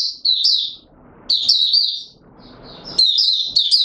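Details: Oriental white-eye (Mata Puteh Raja) in courtship mode, kept bird, singing short bursts of high, rapid warbling twitters separated by brief pauses; faint background noise between phrases.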